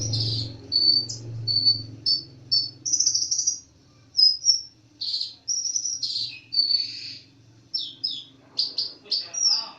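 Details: Olive-backed sunbird (konin dacok) delivering a long energetic song of high, piercing whistled notes and short chirps, repeated in quick bursts with brief gaps, over faint low-pitched hum.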